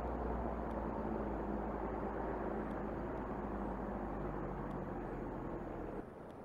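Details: Steady low rumble of passing traffic with a faint electrical hum and no animal voice.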